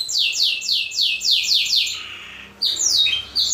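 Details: Black-throated canary singing as model song for training canaries: about seven rapid descending whistled sweeps in a row, a brief pause, then more quick high notes.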